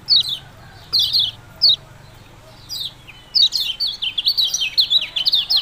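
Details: Yellow-bellied prinia, "ciak-ciak jos" song: a few isolated high downslurred chip notes, a pause, then a fast run of repeated sharp chirps to the end.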